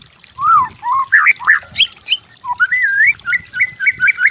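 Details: Master song of a white-rumped shama for training: rich, varied slurred whistles rising and falling, high thin notes mixed in, then a string of short, repeated, level whistles.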